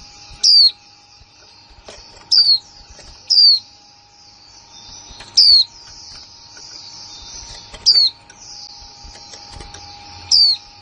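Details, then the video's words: Newly acquired female white-eye from 2020 repeating its kick mộc là líu call. Seven brief, thin, descending whistles are spread unevenly over eleven seconds, backed by constant high hiss and a faint hum. "khuyên mái kick mộc là líu , khuyên mái mới 2020"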